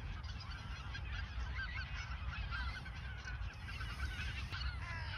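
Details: Ochsenmoor nature reserve geese in autumn 2022, just before migrating south; a steady chatter of overlapping honks and short cackling notes from a big flock, a sharp click heard near the end.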